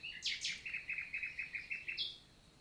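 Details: Common nightingale, Célé valley, Lot, France, June 2023 summer daytime: two strong opening notes, then a steady run of about nine evenly spaced chirps, finishing on a brief higher whistle.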